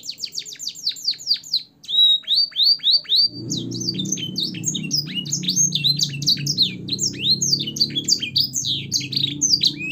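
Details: Caged canary singing a training song with blackthroat and sanger phrases: rapid descending chirps, a few loud notes, then dense high warbling over a low rumbling background.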